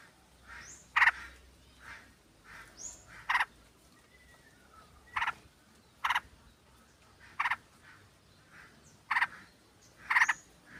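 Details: Sooty-headed bulbuls calling as a flock, with a female calling the male, played to lure birds. Loud raspy bursts come every second or so among quieter chatter, with thin high whistled notes now and then.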